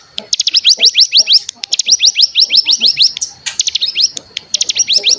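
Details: Bar-winged prinia lure call in the trilling ngebren style: dense series of quick rising chirps, about three per second, in several bursts. Soft lower clicks and background noise are heard beneath.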